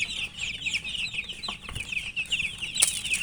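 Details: Chicks (murgi) chirping while eating, many high peeps overlapping in a continuous chorus, with occasional sharp clicks of pecking.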